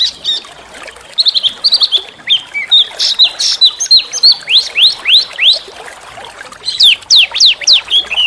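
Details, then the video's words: Oriental magpie-robin singing loud, melodious training song with harsh yet sweet shots, meant to provoke other songbirds: varied whistles followed by a long series of rising, rapidly repeated upswept notes, recorded in a natural setting. "masteran burung kecil agar murai batu gacor AMPUH buat PANCINGAN murai batu agar bunyi EMOSI"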